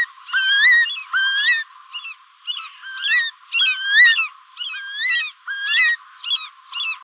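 Curlew giving rich, rising whistled notes in quick bursts, roughly one each second, some overlapping as if from more than one bird.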